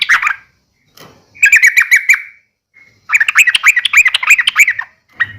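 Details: Yellow-vented bulbul fighting call used to provoke other bulbuls into answering: loud, rapid bursts of chattering, bubbling notes delivered in fast stuttering runs, separated by short pauses.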